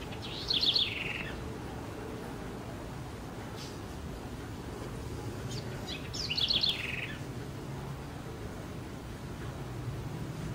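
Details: House wren (Curruíra), a small dark-brown bird about 12 cm long including tail, from Brazil, gives two quick, bubbly bursts of high chattering notes about six seconds apart, over a steady low rumble of background noise.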